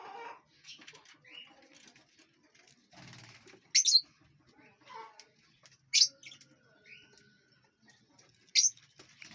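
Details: In a large aviary, lovebirds eating and flying around give loud, sharp, piercing chirps about every two seconds over soft chattering and faint wingbeats.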